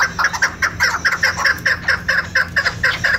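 A female chukar gives a fast run of hoarse, clucking chuck notes, about two or three per second, steady and unbroken, over faint background hiss.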